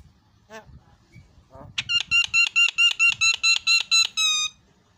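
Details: Javan myna (jalak kebo) sounding a run of about ten evenly spaced harsh, buzzy notes over roughly two and a half seconds, preceded by a few softer calls.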